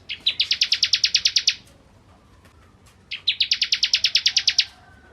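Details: Bar-winged prinia singing vigorously as a tutor for white-rumped shamas: two fast bright trills of about fifteen notes each, each lasting roughly one and a half seconds, separated by a quiet gap.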